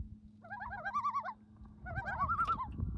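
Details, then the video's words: Loons calling at a favourite place: two bursts of rapid wavering, quavering tremolo notes about a second apart, loud and clear over a low background hum and faint rustling. "beautiful loons making beautiful sounds"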